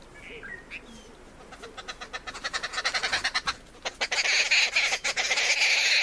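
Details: Arrow-marked babbler eating at a campsite: faint short notes, then a series of harsh rhythmic pulses that speed up and grow louder, breaking into a loud, raucous, rasping chorus of chatter.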